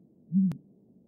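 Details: A single deep, soft hoot from a great grey owl (Strix nebulosa) song, very low and lasting about a quarter second, followed by a brief click against a faint low rumble.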